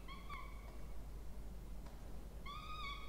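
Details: A pair of Peregrine falcon chicks at a nest box in Orange, New South Wales, Australia, 20 October 2024, begging while being fed. Two flat, sustained, harmonic whines are separated by a quiet gap with faint clicks.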